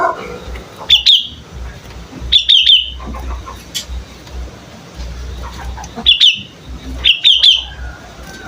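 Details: Young sooty-headed bulbul learning to sing, giving short bursts of two or three sharp, high chirps in quick succession, repeated at irregular intervals over a quiet background with faint low rumble.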